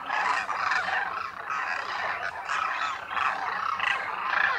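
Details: Demoiselle cranes wintering in thousands at a lake near Khichan village, Thar Desert, Rajasthan, India, where they spend the day after morning feeding: a dense chorus of rolling, trumpeting croaks overlapping continuously with no pauses.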